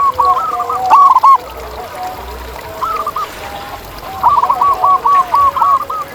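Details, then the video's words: Wild zebra dove song: an opening burst of quick coos, a quieter middle, then a long steady run of evenly spaced, bouncing coo notes. Softer lower cooing continues underneath. "Ini Dia Suara Asli Perkutut Liar di Alam!"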